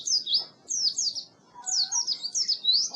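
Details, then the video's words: Oriental white-eye song used to train birds that are not singing: short bursts of high, thin, sliding chirps separated by brief pauses, with a faint lower whistle midway. "Suara Burung Pleci Masteran Pleci Full"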